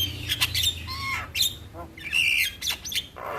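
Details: Starling in the morning, recorded as a lure to get birds singing quickly: scratchy squawks interspersed with clear whistled slurs and brief chattering notes.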